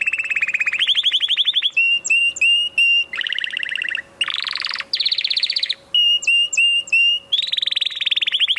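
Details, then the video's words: Loud canary song of changing trills, some low and buzzy, some high and bright, interleaved with sets of three crisp whistled notes, with a faint steady hum behind. "اروع صوت كناري"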